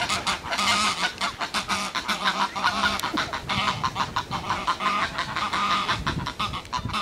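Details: Two geese squawk in unison, a rare event, with loud raucous honks repeated several times a second, rising and falling in bursts throughout.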